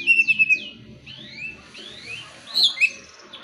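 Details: Oriental magpie-robin (kacer) singing as a lure for other birds: clear descending whistles, then gentle rising slurs and a sharp high twitter near the end.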